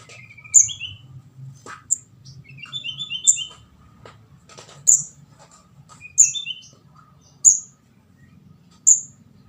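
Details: Orange-headed thrush juvenile (ndas abang), its calls used as a bird-catching lure: loud high squeaks every second or so, mixed with softer, lower twittering chirps and a faint low hum.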